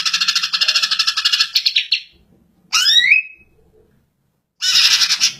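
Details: Greater green leafbird: a long grating chatter of rapid pulses, then a loud swooping whistle that rises steeply and levels off, followed after a pause by another harsh buzzy burst.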